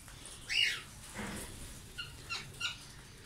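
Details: Rose-ringed (Indian ringneck) parakeet in a flying aviary gives one harsh, screechy squawk, then three shorter, sharp chirped notes about a third of a second apart, with a soft rustle between.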